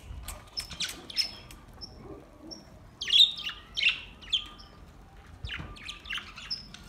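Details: Budgies singing on August 4, 2023: thin high whistled notes repeated about every half second, then louder raspy warbles and chirps mixed in.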